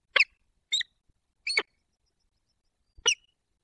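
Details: A peregrine falcon pair at the nest in the Barycz Valley, late February 2023, during courtship and mating visits. Four short, grating, scratchy calls sound at uneven intervals, separated by quiet.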